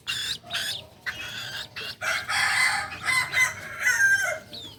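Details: Kukuak Balenggek rooster, a native singing chicken breed of Solok, known for its multi-tiered crow, especially at dawn. It gives several harmonic, banded crow phrases separated by short pauses, with faint small-bird chirps in the background.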